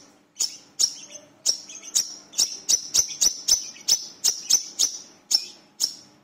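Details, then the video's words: Brown-throated sunbird lure call giving sharp, high, metallic chips, about fifteen in six seconds at an uneven pace, with a faint low hum beneath. "Suara Pancingan Burung Kolibri Kelapa (WICEH/MANGGAR) Gacor Beset"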